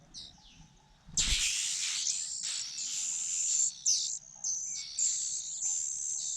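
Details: Fujian niltava chicks begging as their mother feeds them at the nest; faint high chirps, then a sudden loud, harsh, hissing chorus of begging that stays high and continuous with brief breaks.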